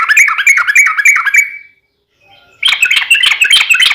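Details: Sooty-headed bulbul lure song in fighting style: a quick rippling string of slurred notes, a pause of about a second, then a harsher, crowded burst of chattering notes.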